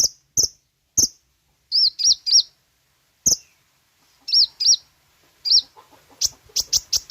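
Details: Sooty-headed bulbul song used as a lure for caged birds: spaced sharp high notes mixed with pairs of arched whistles, ending in a quicker series of bright notes.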